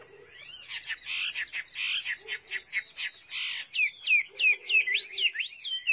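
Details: Chinese hwamei song of loud, varied whistled notes, ending in a fast series of sharp, swooping up-and-down whistles repeated about twice a second.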